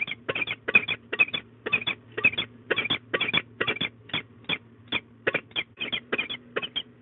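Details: Female peregrine falcon at De Mortel scolding for over ten minutes, the male helping, on 15 March 2022 at 13:40. An almost unbroken rapid run of harsh, grating kek notes in short clusters plays over a steady low electrical hum.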